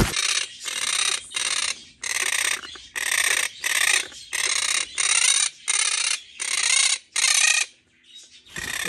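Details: Puerto Rican parrots heard in a mountain coffee farm in the Puerto Rico countryside give loud, harsh, raspy screeches in a steady series of about a dozen half-second bursts, with brief gaps between them.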